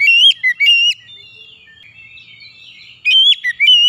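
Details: Oriental magpie-robin song played as quick therapy to get stalled or stressed magpie-robins singing: loud, clear whistled notes with sweeping, rising and falling turns open and close the clip around a quieter stretch of softer warbling.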